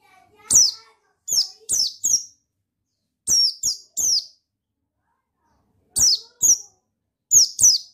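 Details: Lure sound of a male buxtoni white-eye, meant to stir reluctant white-eyes into full song; clusters of two or three piercing, high descending chirps separated by brief silences.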